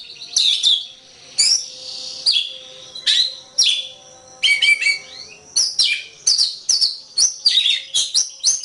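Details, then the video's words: Oriental magpie-robin, known as kacer, singing for a training track: scratchy, slurred phrases at first, then a fast run of sharp chirps and whistles, with a faint low hum. "Ocehan Suara Burung Kacer"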